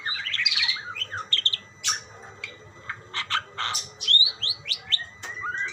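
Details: Budgerigars calling to each other: a bright warbled burst opens, then spaced sharp chirps and short rising and falling whistles, separated by brief pauses, over a soft hum.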